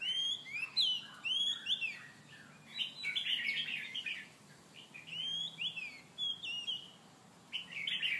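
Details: White-rumped shama singing while chasing to mate: varied clear whistled phrases with upward and downward sweeps, repeated in bursts with brief pauses, over a low constant hiss.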